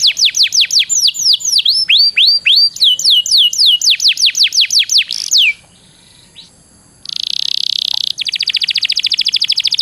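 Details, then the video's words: Canary master song for training contest birds: a long run of loud downslurred whistles at roughly two per second, a quiet gap, then a high buzz and a rapid even trill. "Suara masteran burung kenari yg di sukai para jurii bikin kenarimu jadi juara..!!"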